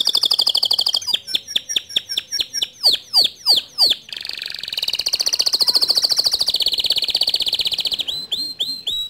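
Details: White male canary delivering a long standard song: high rolling trill, a sequence of swooping slurred whistles, then an extended buzzy warbling trill and final quick chips.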